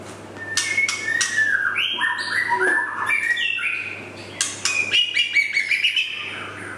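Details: Young male white-rumped shama, known as murai batu, singing a varied run of whistled slurs, rising and falling notes and quick chirpy trills without pause, above a low constant electrical hum.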